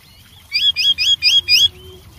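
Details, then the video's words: Wild white-rumped shama giving five identical short, bright whistled notes in even succession during varied, vigorous singing. "suara Burung Wambi Gacor Variasi Banyak dialam liar"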